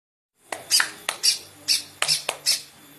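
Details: Green leafbird giving harsh, squawky bursts, six broad noisy notes spaced about half a second apart after a short silence.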